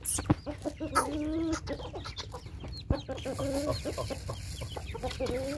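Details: Hungry chickens rushing to their morning feeding: busy overlapping clucks and short tonal calls, some drawn-out wavering notes, a sharp knock near the middle, with a person calling out repeatedly nearby.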